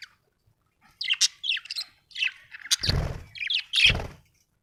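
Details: Happy budgies chirping: bursts of bright, scratchy warbles and squawky chirps in quick succession, with two broad low thumps or rustles mid-clip.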